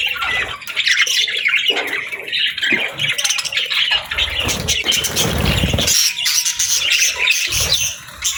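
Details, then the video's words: Budgies caring for their chicks; uneven bursts of harsh, high chirps and squeals, with a louder scratchy flurry around the middle, a short steady tone near six seconds and a fading end. "Cute Budgies With Cute Chicks 🐦 | Adorable Moments & Chirping Sounds"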